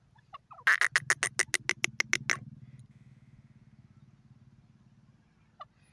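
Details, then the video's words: Francolin, known locally as teetar, giving a burst of about ten loud, harsh, grating pulses in quick succession, then stopping; a low steady hum runs underneath. "pheasant francolin titer bird ki awaaz"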